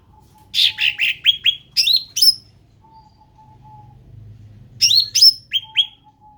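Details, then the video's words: Cucak ranting bulbul, described as endemic, sings lively groups of sharp chirps and quick descending whistled notes, with a pause of about two seconds between bursts and a low background hum. "SUARA ASLI CUCAK RANTING"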